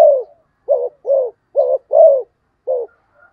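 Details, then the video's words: Fast cooing from a spotted dove: six low, hollow coo notes in quick succession, each slightly falling, then a faint thin whistle. "cu gáy thúc gù tốc độ"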